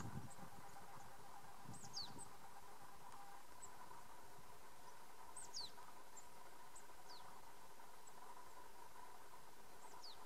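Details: Eurasian blue tit feeding in Tarumaa, Virumaa, Estonia, in February 2016, giving thin, very high, short falling call notes, singly and in pairs every second or two, over a steady low engine-like rumble.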